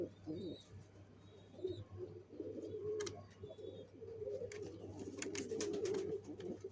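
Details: Pigeons building a nest for laying eggs; low, throaty cooing swells and fades in uneven bursts, with scattered clicks and faint high chirps from other birds.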